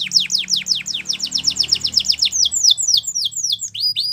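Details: Canary training song made of quick falling whistled notes repeated about four times a second in a steady run, ending with a few higher sharp notes, over a soft low hum.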